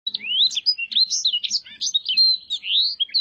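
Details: Blackthroat singing a soft, smooth song: a fast, continuous warble of high whistled slurs and quick twittering notes that rise and fall without pause.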